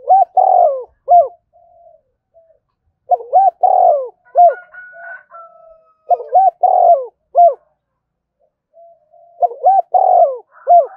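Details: Spotted dove cooing to lure other doves, four repeated phrases of short hoots, a rolling coo and a final arched note, with softer low murmurs between and a faint whistle once.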